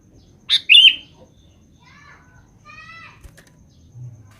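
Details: A sooty-headed bulbul calling to females gives one loud, abrupt, slurred chirp, followed by faint, short whistled notes in the background.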